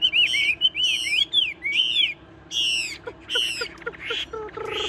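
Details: Tame Chinese hwamei in a cage, still singing when the cage is shaken: rich repeated whistled phrases with buzzy overtones. Brief pauses separate them, and a few lower short notes and clicks come later.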